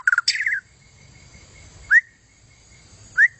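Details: White-rumped shama song offered as tutor material for contest birds: a quick burst of buzzy trilled notes, then two separate clear rising whistled notes spaced about a second apart, with quiet pauses between.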